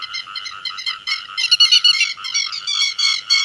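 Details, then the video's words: Grey-headed lapwing calling to its flock, used as a lure call for netting: dense harsh, harmonic chattering calls repeated rapidly in overlapping bursts, strongest in the middle section, with no other sounds. "Tiếng Chim Te Vàng Gọi Bầy"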